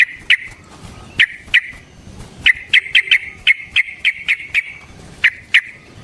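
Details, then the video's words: Sooty-headed bulbul in a long rapid 'ropel' fighting song, used as a lure to make other bulbuls respond and as a tutor for training birds. Sharp, bright chirped notes are spaced irregularly, about fifteen in six seconds, with a faint low background rumble. "Burung TRUCUKAN GACOR Ropel Panjang Cocok untuk PANCINGAN Trucuk bahan dan MASTERAN Burung Trucukan"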